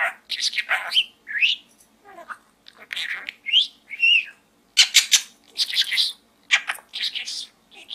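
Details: Budgerigar kept as a pet, chattering inside a small gourd: a dense run of warbled, scratchy syllables and short rising whistles, nearly continuous with only brief breaks.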